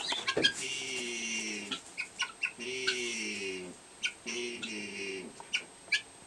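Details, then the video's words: Helmeted guineafowl hen in a barn, making unusual sounds while laying her egg: three drawn-out, nasal, buzzy notes of about a second each, separated by short pauses, with scattered clicks and rustling in between. "Funny guinea sounds"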